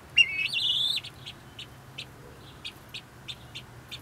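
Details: Domestic helmeted guineafowl chatter beside a hen sitting on her nest, kept company by two other birds; one longer harsh rising call opens, followed by a string of short clipped notes about three per second over a low steady hum.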